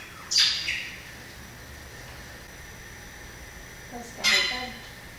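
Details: Inhapim, the Variable oriole, producing two separate loud, harsh, squawky notes several seconds apart, with near silence between them.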